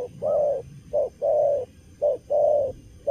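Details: Spotted dove, a young wild-caught bird in moult yet very eager, delivering 'cà lăm lỡ' stutter cooing: a brief low hoot followed by a longer steady coo, repeated about once per second.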